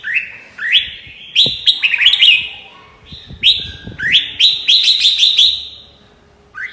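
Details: Red-whiskered bulbul singing: short bright whistled phrases that sweep upward, each ending in quick chirpy flourishes, delivered in bursts with brief pauses between them and a faint low background rumble.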